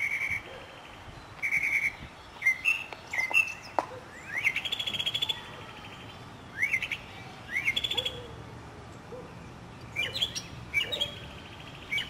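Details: Northern mockingbird in a South Carolina city neighbourhood, spring 2008, singing a varied string of phrases: steady whistles, rising sweeps and rapid chatter, each phrase changing, with other birds singing behind.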